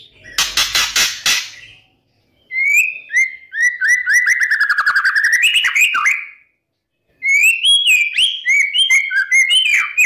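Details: White-rumped shama singing a lure song to stir rival birds in the morning. Harsh rattling notes open, followed by a long run of rapid rolling whistles, a pause, then bright varied whistled phrases.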